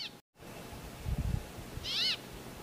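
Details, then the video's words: A brambling calling to its mates gives one nasal, slightly buzzy note that dips and falls away, with a brief higher note at the start and low rumbling underneath. "Brambling call"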